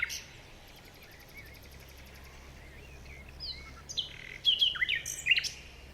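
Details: Morning forest birdsong: quiet background hiss with a faint distant buzzy series early on, then several loud high chirps and short squeaky notes bunched together near the end.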